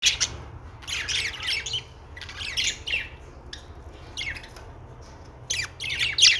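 Budgerigars chatter in quick bursts of high, scratchy chirps and squawks, with short pauses between phrases.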